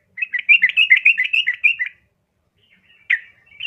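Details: A female yellow-vented bulbul calls to a male in a lure recording for caged birds. A quick burst of rapid bubbly chattering lasts nearly two seconds, then silence and a couple of single notes.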